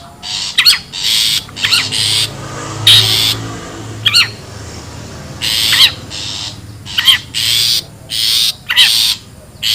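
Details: Wild long-tailed shrike lure recording: harsh, hissing, broadband rasps of about half a second, repeated irregularly, alternate with short wavy, nasal whistled notes. Steady low hum in the background.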